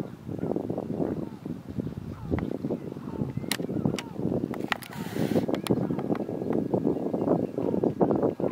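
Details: A flock of American flamingos (Phoenicopterus ruber) at a lagoon fish farm on 19 April 2022 keeps up a steady, overlapping babble of low, nasal, goose-like honks and grunts, with a few sharp clicks mixed in.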